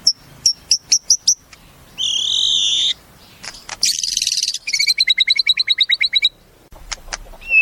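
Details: Caged white-rumped shama, a murai kept for singing contests, delivering a varied song: clicking bursts, a buzzy banded phrase, a dense rattle, then a rapid run of sharp repeated high notes ending in a short whistle.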